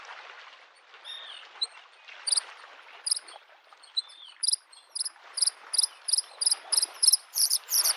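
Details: Bluethroat at a lake in spring: after a few soft slurred whistles amid the noise of waves, a long series of high, sharp, doubled notes builds steadily, repeating about twice a second.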